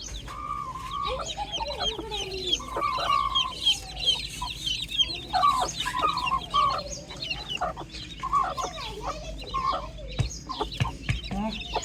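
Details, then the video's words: Chickens on a farm in the morning: a steady run of short, mid-pitched clucks and murmurs with faint, high chick peeps above, and a few soft thumps near the end. "Calm Chick Chirping Sounds with Relaxing Morning Farm Ambience"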